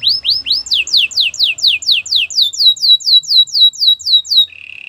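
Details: Belgian canary song made of a long steady run of clear descending whistled sweeps, roughly two per second, slowing slightly and ending on a soft low buzzy trill.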